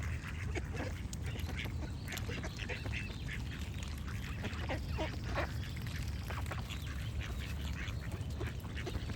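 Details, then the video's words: Duck quacking in short, harsh bursts scattered through the recording, with other birds singing and a steady low rumbling background. "Cute Duck Quack Sound Effect with Birds Singing"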